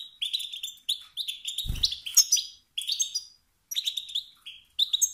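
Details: A male European goldfinch utters stirring twitters meant to provoke competing males into song: rapid liquid chirps and buzzy trills in short bursts, a brief low knock midway, then gaps between phrases.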